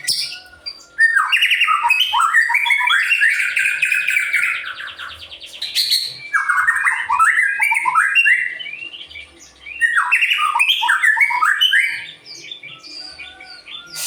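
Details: White-rumped shama in full song, a bird used to stir other birds into singing: dense bursts of rich, varied whistled phrases and rattling trills in three long runs separated by brief pauses.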